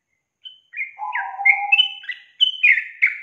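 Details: Sooty-headed bulbul gives a quick run of liquid, bubbling whistled notes, some slurred up and down, in a short chattering phrase with no other sounds, used as a lure call to make quiet bulbuls sing.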